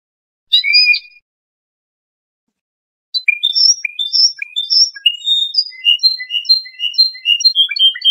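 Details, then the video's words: Trained Iranian European goldfinch singing a calm Lor-style song used to tutor juvenile songbirds: one brief twittered burst, a pause of about two seconds, then a steady flow of high, clear, chirping notes and short trills. No other sounds. "Iranian trained Lor goldfinch song for training juvenile songbirds."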